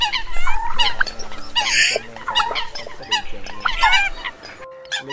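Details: Eurasian coot calls used as a lure for night net trapping of migrating birds, August season: dense, overlapping nasal honking calls from several callers, some rising and falling, with short squeaky notes between the bursts.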